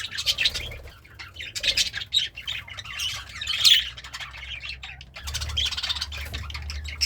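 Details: Happy pet budgie eating greens gives bursts of scratchy warbling and squeaky chirps separated by short quieter gaps, over low hum.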